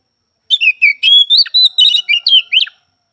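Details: Oriental magpie-robin (kacer), recorded at some time across morning, afternoon and night: a two-second phrase of about ten quick whistled notes, rising, falling and warbling, given in a steady, lively sequence.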